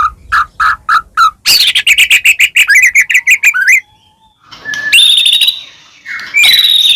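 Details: Murai batu, the white-rumped shama, singing to spur other shamas to answer: a few low mellow notes, then a rapid loud chattering series, a pause, and high sweeping whistles.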